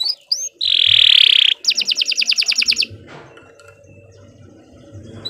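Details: Canary training song fragment: a loud sustained buzzy note, followed by a rapid even trill of repeated notes, then quiet with faint background noise.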